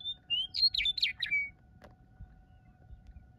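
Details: Western Meadowlark at Antelope Island by the lake, 25 March 2022: one rich, flute-like song phrase of gurgling notes tumbling downward, then a faint steady hum and low rumble.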